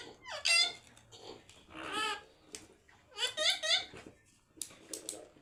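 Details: Pet parrot in a good mood, talking nonstop indoors: bursts of squeaky, wavering, voice-like phrases in four or five separate utterances with short pauses, some rising and falling in pitch like chatter.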